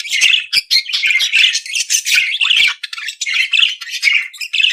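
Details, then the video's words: Dense, noisy chatter of an Australian budgerigar: grating squawks and squeaky warbles strung together almost without pause. "periquito Austráliano/deixe seus pássaros 🐦 mais animado."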